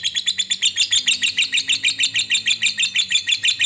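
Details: Lovebird giving its long 'ngekek' chatter, used as a lure to get other lovebirds singing: rapid high-pitched rasping notes repeated steadily, about three per second, without a break.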